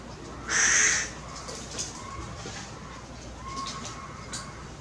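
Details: A tame hooded crow in Maalot-Tarshiha, Israel, gives one harsh, hoarse caw lasting about half a second, followed by faint quieter sounds and light background noise.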